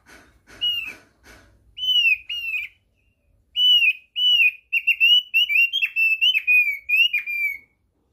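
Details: High, clean whistles of a thick-billed white-eye, played as a lure to prompt birds to sing, opening with a few scratchy notes, then repeated downslurred whistles building into a fast, lively run.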